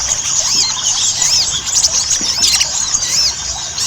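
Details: Ruby-cheeked sunbird, known locally as sogon, in a lure recording used to get birds singing eagerly; dense, high, squeaky chattering with thin rising-and-falling slurred notes overlapping continuously, with a steady hiss beneath.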